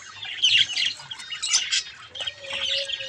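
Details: Budgerigar chicks at a mirror give scratchy high squawks and chirps, then a thin, steady whistled tone runs through the final second.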